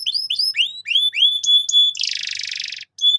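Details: Canary training song for juvenile birds. A series of upswept whistles lengthens into flat piping notes, followed by a harsh, buzzy rattle of almost a second and a final short whistle.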